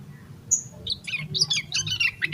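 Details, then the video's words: Vigorous yellow-vented bulbul song in the 'emosi koslet full isian' style, meant to coax other bulbuls into song: a thin high whistle, then a tumbling series of bright, chirpy, bubbling notes growing denser and louder, over a faint low hum. "Suara Burung Trucukan Gacor EMOSI KOSLET Full Isian"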